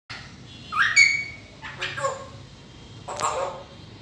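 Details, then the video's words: Grey parrot talking, producing three short bursts of speech-like sounds and squawks, the first a rising whistled syllable, each separated by about a second of quiet room noise. "Talking Gray Parrot"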